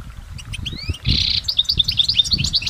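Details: Goldfinch recorded in nature: two rising whistled slides open the phrase, then a dense buzzy burst and a quick string of bright chirps, with faint low background rumble.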